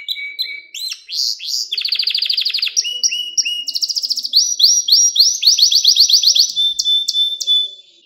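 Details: Caged canary giving a lesson song for young canaries: a low buzzy rattle opens, followed by chains of quick rising notes, dense fast trills and shifting high tours delivered almost without break.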